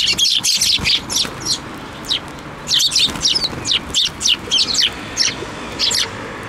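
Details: Sparrows coming to a hand for food at a Tenmangu shrine, 7 May 2024: a busy run of bright, high chirps, roughly four per second in irregular bursts, several birds calling together.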